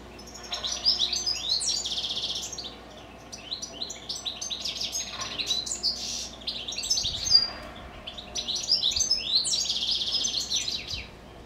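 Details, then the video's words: Kept goldfinches singing in the evening: high, fast twittering and tinkling phrases from several birds, with a brief lull midway and faint low background hum. "Evening goldfinches song."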